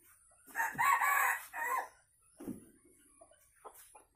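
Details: Tame Sumatran red junglefowl kept in a free-range enclosure crows in the morning, a three-part hoarse crow lasting about a second and a half, followed by a man's voice and light clucks.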